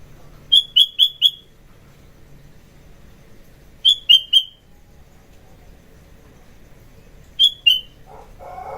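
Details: Sooty-headed bulbul singing in the morning, used as a lure and tutor recording: crisp groups of three or four clear, high chirped notes, repeated about every three seconds over a quiet background.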